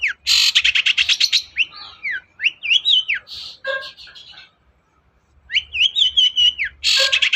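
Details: Long-tailed shrike song meant to spur a silent shrike into singing: fast scratchy chatter, then rising and falling whistled slurs and harsh notes, a brief pause, and another burst of warbled whistles.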